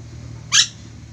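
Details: Single abrupt, harsh, grating screech of an ornate lorikeet, an eastern Indonesian endemic parrot, over a quiet low hum.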